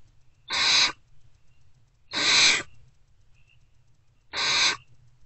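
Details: Wild great horned owlets in a nest box, not yet fed, respond to a returning adult before sunrise on 3 March 2024 with three hoarse screeches spaced about two seconds apart.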